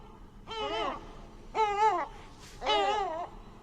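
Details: Yellow-legged Gull seen from a balcony in suburban Barcelona, giving three loud, nasal, drawn-out calls, each about half a second long and arched in pitch, spaced roughly a second apart.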